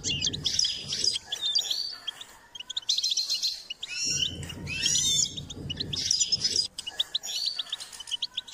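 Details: Goldfinch in song training: repeated bursts of fast, bright twittering and buzzy trills separated by brief pauses, with a low rumbling noise under the louder passages.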